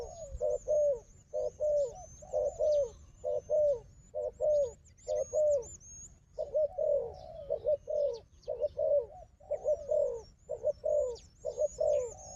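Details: Wild dove strong at fighting, opposite a decoy, keeps up a long run of repeated rolling coos about once a second, with a short pause halfway and high whistles from another bird throughout.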